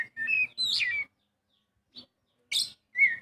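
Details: Oriental magpie-robin song played to prompt a quiet bird to sing: clear whistled phrases, some rising and falling, broken by short pauses and a brief sharp note.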